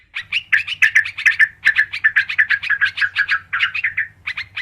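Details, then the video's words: Lure sound of the sooty-headed bulbul: a lively stream of slurred, bubbling chirps, some sliding downward, over a low steady electrical hum. "SUARA PIKAT BURUNG TRUCUKAN KARUANG PALING AMPUH"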